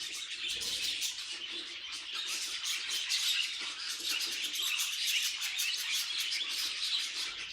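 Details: Noisy pet budgerigars giving a constant scratchy warble full of fast high chirps and ticking notes, the busy chatter holding an even level throughout.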